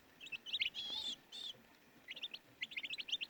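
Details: Baby chicks give quick, high, piping peeps in short bursts, with a louder, longer harmonic squeal in the middle before the chirping resumes.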